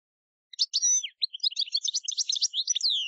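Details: European goldfinch campero field song for training young decoy goldfinches for contests and capture: a drawn-out whistled note, then quick varied twittering with buzzy trills and high tinkling chips, ending on a falling slur.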